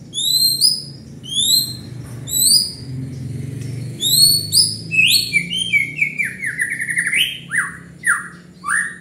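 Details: White-rumped shama (murai batu) singing actively, its song meant to fire up rivals: upslurred whistles repeated high and sharp, then a run of loud descending and rising slurred whistles, with a low steady hum underneath.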